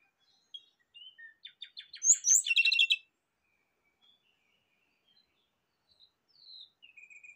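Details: Rufous-chested flycatcher, lure and therapy recording to get kept birds singing: soft scattered high notes build into a fast chattering, rattling burst, followed by near-silence and faint high whistles and a short rapid series at the end.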